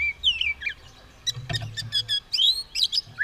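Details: White-rumped shama, caged, ready to fight with tail spread, singing fast whistled phrases and clicking trills with a low thud midway.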